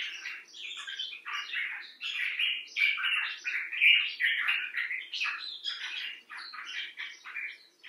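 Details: Steady stream of rasping, chattering notes from a common bulbul, Pycnonotus barbatus, about three calls a second with no real pauses; bird from a set of rescued and wild individuals.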